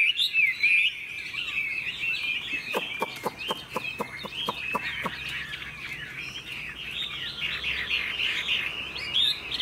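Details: Caged tame Chinese hwamei delivering a tail-flicking, laughingthrush-style song: dense, bright warbling with rippling whistles running on without pause, and a brief series of sharp clicking taps midway.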